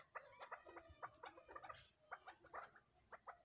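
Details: Chukar chicks of a cross breed giving busy, overlapping bursts of short, clipped chirps with a rough edge, coming every fraction of a second with brief pauses, against a quiet background.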